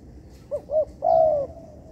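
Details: Tekukur, the spotted dove, in training material from an artificial yard: a short note, a rounder rising-falling note, then a long steady coo that slides downward at the end.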